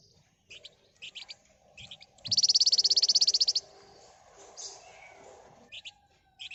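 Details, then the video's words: Excited flamboyan bird song meant to provoke other birds into singing. Short high chirps surround a loud, very fast rattling trill lasting over a second, followed by more sharp chirp pairs. "Burung Flamboyan Gacor Emosi Ngebren Rapat Nyerecet Cocok buat Pancingan"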